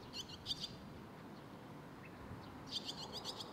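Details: Fledgling barn swallows in Sendai in June 2021, waiting for food together; two short bursts of piercing high chirps, one at the start and one near the end, separated by a quiet gap with low background hum.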